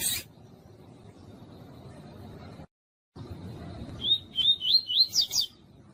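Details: Female double-collared seedeater piping to warm up and teach a quiet male, tui-tui style: five or six high upslurred whistles in quick succession near the end, following a brief chirp and low background hiss.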